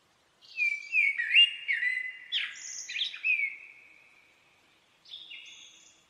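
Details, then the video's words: A common blackbird delivers a lively phrase of loud, mellow whistles that ends in a long, steady tone. After a pause, a softer, higher note trails off. "Blackbird song"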